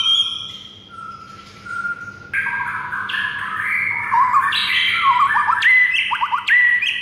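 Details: White-rumped shama singing in the morning, a master recording for teaching other birds: varied loud whistled phrases shifting in pitch, ending in quick bursts of rapid downslurred notes, with a faint low hum behind.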